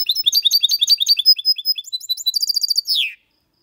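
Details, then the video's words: Goldfinch x canary hybrid from 2022 singing a clean, error-free song in the Malaga copy style: rapid, dense twittering of high, sharp notes for about three seconds, ending in a quick run of trilled chirps and a falling slur. "Mixto de Jilguero X canari canto Limpio"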